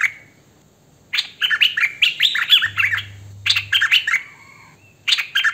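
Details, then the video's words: Hwamei song recorded with a phone or camcorder: a single whistle, then a long, tumbling sequence of rich, swooping notes, a drawn-out tone, and a fresh burst at the end. A low hum appears midway. "Hoành hoạch thơm mồi hót chuẩn hay"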